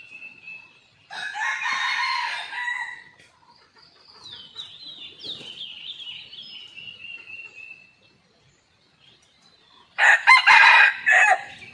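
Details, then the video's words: Red junglefowl, lively after a storm this morning, recorded by a hidden camera: two full harsh crows, one early and one at the end, separated by a long descending thin whistle from another bird. "ตั้งกล้องแอบชมไก่ป่า หลังพายุเช้านี้คึกมาก!!"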